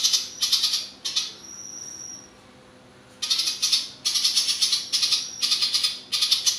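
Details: Ciblek papua giving a long, enduring ngebren-style song, kept as a master song for training competition birds: loud, harsh buzzy bursts repeated about twice a second, broken by one thin, level whistle and a short pause.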